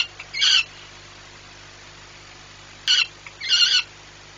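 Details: Peregrine falcon male yelling as a flight observer at Płock, Poland, July 2017 morning: a lone rough squawk, then after a pause a short note followed by another grating squawk.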